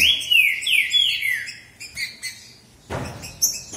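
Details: Green-winged saltator song from a contest between two males, praised for varied phrases: three strong downward-slurred whistles open the recording, then a pause, a thump and thinner high notes.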